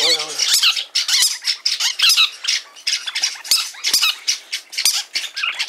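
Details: Hand-tame green-cheeked parakeet at a pet shop in Fukuoka Prefecture, Japan: dense bursts of harsh, raspy, high squawks repeated rapidly and almost without pause. A brief low human voice is heard at the very start.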